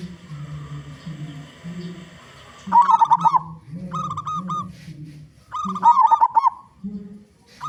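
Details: A loud local zebra dove, used to attract other zebra doves, gives repeated bouts of rapid warbling coos with short clipped notes between, over a faint low humming background.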